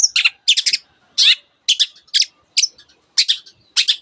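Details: Long-tailed shrike mimicking canary and other species: clipped groups of quick bright chirps and one descending buzzy sweep, separated by brief silences.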